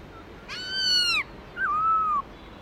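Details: Wild-style song of a black-throated laughingthrush: one bright, harmonic-laden whistle curving downward, followed by a softer, level wavering whistle after a brief gap, faint hiss behind.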